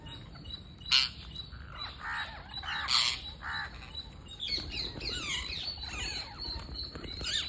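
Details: Parakeet during feeding, with repeated harsh, raspy squawks about every second early on, then a run of quick rising and falling chirps and twitters over low background noise.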